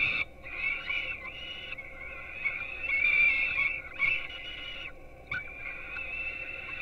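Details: Peregrine falcon nestlings in Gdynia, Poland, getting breakfast at 4:21 am on 5-11-16, recorded by a nest webcam. Long, wavering, nasal wails run in overlapping bursts with a few short gaps and sharp clicks.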